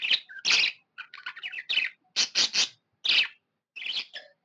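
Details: Pet budgerigar giving happy chirping: a run of short, bright, broadband chirps and harsh chatter notes, some in quick clusters, separated by brief pauses, with no other clear sounds.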